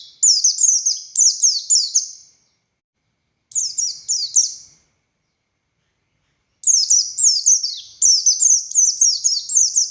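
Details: Singing Oriental white-eye, buxtoni type, in long 'ngalas' song: three bursts of shrill, downward-sliding chirps, separated by silent gaps of about two seconds, the last burst longest and densest.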